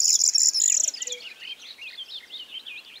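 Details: Corn bunting (Emberiza calandra) singing in a meadow by Rozhen Monastery, Pirin Mountains, southwestern Bulgaria, on 21 May 2015: a dry, jangling burst of high, jingling notes in under a second, then fainter scattered chirps from other birds.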